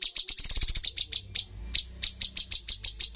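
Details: Cucak cungkok bulbul at a bird competition delivering 'tembakan' shots: a dense run of sharp high chirps that loosens into evenly spaced single notes about every quarter second, over a low background hum.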